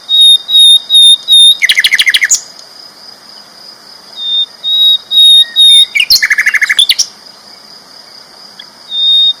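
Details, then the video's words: Sikatan londo flycatcher singing loud and clear: bright whistled notes repeated evenly, broken by two fast buzzy trill bursts, then more spaced whistles over a constant high-pitched hum. "BURUNG SIKATAN LONDO GACOR ISTIMEWA KERAS LANTANG"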